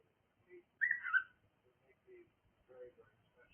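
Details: A cockatiel gives one short whistled call that wavers and falls slightly, with faint lower murmurs before and after in a quiet indoor setting.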